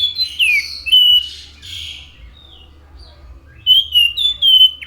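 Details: Anis macan singing: an opening of sweeping, partly harsh whistles, a quiet pause, then a run of bright whistled notes gliding down and up.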